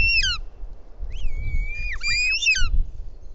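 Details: Bonelli's eagle chick at its nest in Ports Natural Park, Catalonia, on 19 June, begging its mother for help after the father delivers a toad. Loud, harmonic, sharply down-slurred squeals, one short and then a longer wavering pair, over low rumbling background.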